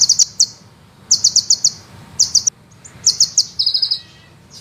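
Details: Sunbird song meant as master material for training songbirds, called fast and rolling. Clusters of sharp, very high notes in quick runs, ending with a buzzy trill, with a faint low hum beneath.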